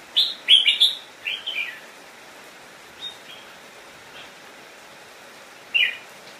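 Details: Caged decoy red-whiskered bulbul singing to call wild birds in to fight: a quick burst of bright, warbled whistled phrases over the first two seconds, a short gap, then one more sharp whistled phrase near the end, over faint background hiss.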